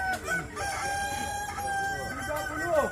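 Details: At a Kukuak Balenggek crowing contest in West Sumatra, Indonesia, one rooster holds a long, steady crow note while other birds crow in overlapping, bending phrases over a constant buzz of spectators.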